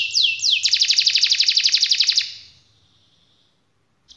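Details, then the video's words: Canary singing: two swooping whistles followed by a rapid even trill of about four notes per second lasting under two seconds, then silence. "Kenari malas dan macet bunyi langsung nyaut,seketika dengar suara kenari gacor ngerol panjang ini"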